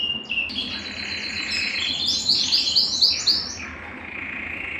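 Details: Belgian canary singing to stimulate males and bring females into breeding condition: a high song with quick series of bright, sharply rising notes repeated about four per second, leading into a steady buzzy trill at the end.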